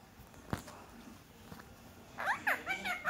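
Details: Six-month-old pet Indian ringneck parakeet in a quiet room; after two soft taps, a burst of rapid, bright, warbling speech-like syllables with sliding pitch fills the final second over a low hum.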